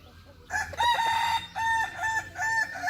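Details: Kukuak Balenggek rooster, a bird kept by a hobby breeder, crowing in several linked syllables: a strong opening note followed by a run of steady, even-pitched segments separated by short breaks.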